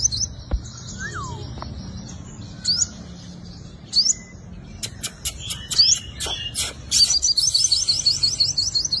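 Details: A five-coloured sunbird's fighting song, used as a lure: high buzzy notes and occasional upswept whistles, a lower falling slur early on, clicks midway, ending in a quick high repeated trill.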